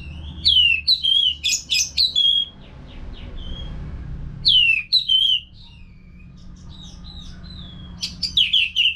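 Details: Caged Orange-headed thrush from Singaraja, North Bali, singing as a training sound for caged birds: clear whistled phrases with sharp upward sweeps and fluty notes, delivered in three groups with quieter soft twitters between, over a low hum.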